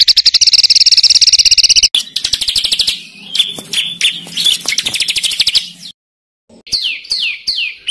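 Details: High, fast rolling trill from a songbird on a master recording for training contest birds in kasaran ngeroll style. It gives way to scratchy chattering, then after a pause a series of downward-slurred whistles.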